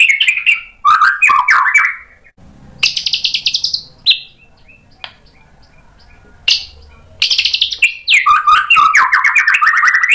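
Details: White-rumped shama song used as a lure to make other birds answer, a varied rich song with mimicked phrases: rapid buzzy trills, sharp high whistles and falling slurred notes in bursts separated by short pauses, with a faint low hum beneath.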